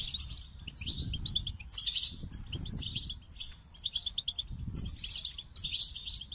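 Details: Goldfinch song in several high twittering phrases separated by brief quiet spells, with quick chattering notes and a few sharper tinkling peaks; soft low rumbling noise in the background.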